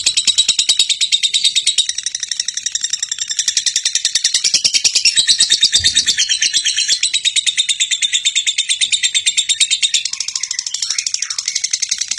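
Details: Konslet-style gacor song of a lovebird, used as a master for teaching other lovebirds: a long unbroken run of rapid, piercing chatter notes, with one brief low knock midway.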